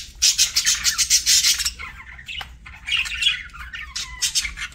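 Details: Pet parakeet while eating: a loud rapid string of hissy squawks for about a second and a half, then softer warbling chatter and more squawk bursts.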